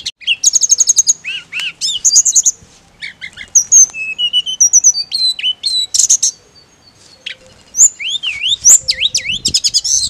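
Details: Sunda robin (Myiomela diana) giving a ngirik call of rapid, high chirping notes mixed with clear whistled slurs and short rising-falling phrases, busy and varied throughout.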